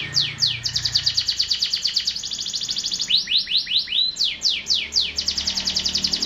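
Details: Canary song in an unbroken flow: a fast series of steep downward-sweeping notes, several per second, shifting into slower looping slurred syllables near the end.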